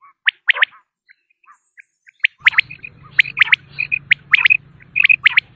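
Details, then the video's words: Common quail phrases used to attract quail for hunting: sharp, liquid triplets and short whistled notes, about one phrase a second. A steady low hum joins halfway through. "بٹیر کی اواز 1 گھنٹے کی Quail Beautiful voice"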